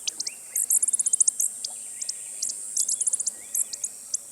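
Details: Costa's hummingbird giving bursts of very high, rapid, dry ticking chips, fast clustered series separated by short pauses, thin and sharp throughout.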